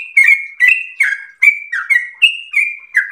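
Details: Rapid ropel singing from a yellow-vented bulbul: about nine crisp whistled notes in three seconds, flat tones broken by short falling slurs, with a clean background.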